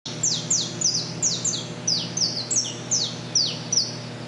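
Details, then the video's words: Saffron finch singing from a metal structure at the Henry Borden power plant in Cubatão, São Paulo, Brazil. Sharp, high, downslurred chip notes come quickly, about three a second, some in pairs, over a steady low hum. "Canário da Terra"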